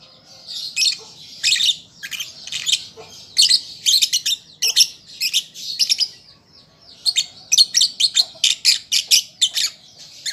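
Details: Shrill, twittering chatter from a young lovebird learning to sing, with a long run of sharp chirps in irregular bursts, a brief lull, then a fast string of clipped notes near the end.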